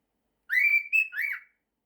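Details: Male pet cockatiel whistling part of a tune mashup of 'September' and 'If you're happy and you know it': a clear, steady whistled note slides into a short higher note, then a falling, wavering whistle, all within about one second.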